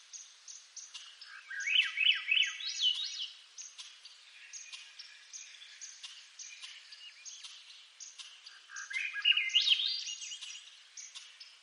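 Two flute-like Swainson's thrush phrases, each spiraling upward in pitch, about seven seconds apart, with faint high buzzy calls from other birds behind.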